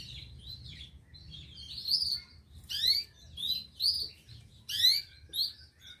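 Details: Local canary singing a series of sharp upward-sweeping whistled notes, repeated roughly every second with warbled phrases between, against a quiet low hum.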